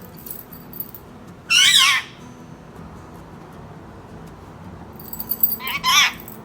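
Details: Male pet Indian ringneck parrot trained to greet with "Assalam alaikum" gives two loud, raspy bursts of rapid speech-like syllables, roughly four seconds apart, over a quiet room background.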